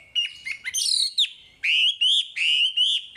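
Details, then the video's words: Chinese hwamei in full song, used to coax untrained caged hwamei: varied whistled fragments and sharp notes, then a steady series of loud, clear upslurred whistles about every half second. "Suara Wambi Gacor Untuk Pancingan Hwamei Bahan"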